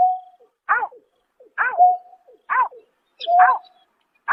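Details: Four coarse, arched calls from a greater painted-snipe, recorded at night in March 2024. They come at irregular intervals, each paired with a brief steady whistle-like tone, with no other sounds.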